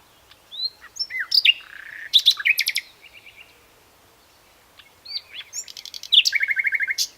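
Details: Song of a common nightingale: bursts of whistled and buzzy notes, then fast rattling series of identical notes. Two phrases separated by a pause of over a second, the last closing with a rapid repeated trill.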